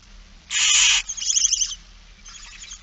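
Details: Barn owl begging during feeding, 8 September 2019 at 16:02: one intense half-second hiss followed by a fading trill of chittering pulses and a faint later chatter.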